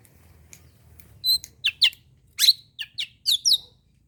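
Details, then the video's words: Oriental magpie-robin morning song meant to agitate rival birds: a lively burst of varied notes, a high tonal whistle followed by harsh, scratchy chirps and quick slurred phrases, with quiet low hum underneath. "kicauan d pagi hari burung kacer. cocok buat mendengkrak emosi"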